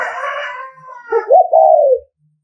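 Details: Spotted dove of the Nghệ An type giving a provoking 'thúc gù' coo meant to lure rival males: a loud harsh burst opens, then low, mellow, arched cooing notes that rise and fall before stopping abruptly.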